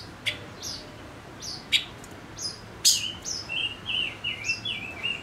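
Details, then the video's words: Male decoy silver-eared mesia: high scattered chirps and a loud sharp note lead into a flowing run of whistled, downward-sliding notes, repeated rapidly in a rolling phrase. "Chim ngũ sắc mồi hót cực hay kích bổi nhanh nổi | chim ngũ sắc hót | ngũ sắc trống"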